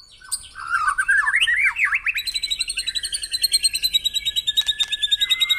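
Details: Morning white-rumped shama song used to spur caged birds into singing: zigzagging rising and falling whistled phrases, then a long fast series of rhythmic high chattering notes pulsing roughly seven times a second.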